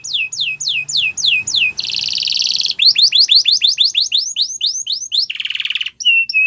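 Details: Canary training song with quick descending whistles, a harsh buzzy burst, a run of rising-falling notes, another buzz, and clear piping notes at the end.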